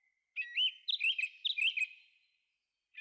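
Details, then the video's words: Thrush singing in a forest, delivering a rapid warbled phrase of whistled notes that rise and fall, repeated in quick succession before fading out, with another note starting at the end. "Thrush singing"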